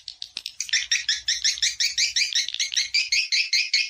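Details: Swiftlets in a lure call played to attract them to mate and nest in a swiftlet house: a fast run of buzzy, chirping twitters, about three pulses a second, loud and clean with no other sounds.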